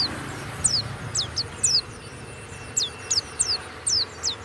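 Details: Kept warbling white-eye (pleci, Banyuwangi type) in ngeplong song. It gives high, clear downslurred notes spaced unevenly, singly or in pairs, with short silences between, over low steady background noise.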